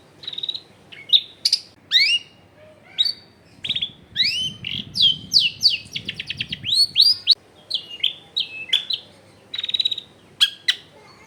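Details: Long-tailed shrike in full song with rich, varied fill-in material, recorded at home in a crowded neighbourhood and used to prompt silent shrikes to answer. Fast bursts of sharp chirps, upslurred whistles, buzzy harmonic notes and a quick rattling trill midway, with faint low background noise.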